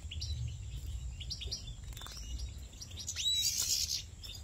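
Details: European goldfinches at a bathing basin inside a large breeding farm, a white mutant bird among them: many thin, rising chirps and twitters overlap, with a brighter burst near the end, over a steady low hum.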